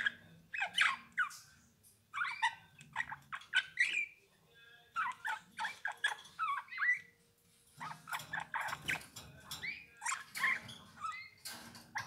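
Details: Eurasian bullfinch singing a string of short squeaky, creaky notes and soft chirps in bursts, with brief pauses between phrases and faint low background noise.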